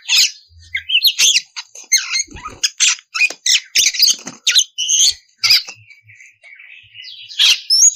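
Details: Calling female oriental magpie-robin, in breeding condition, summoning the male with a dense string of short rasping chirps and sharp clicks mixed with a few steady whistled notes, then a pause before a final harsh burst.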